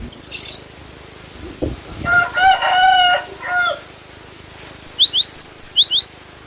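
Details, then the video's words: Cinereous tit (glatik batu) singing vigorously: a run of about eight high, sharp, looping whistled notes in quick rhythm near the end. Earlier, a lower, drawn-out harmonic call from another bird dominates. "GLATIK BATU GACOR"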